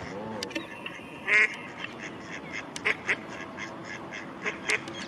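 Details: A female mallard at Strandbad Blies, Ludwigshafen am Rhein, gives short, harsh quacks, singly and in quick pairs, spaced a second or so apart over a steady murmur of background noise.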